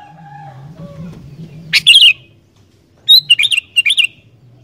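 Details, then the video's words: Lively song of a sooty-headed bulbul, played to set wild bulbuls singing: a faint low whistle first, then one bubbly phrase followed by a quick run of chirpy notes. "Burung Kutilang Gacor Dooor, Cepat Bikin Kutilang Liar Langsung GACOR"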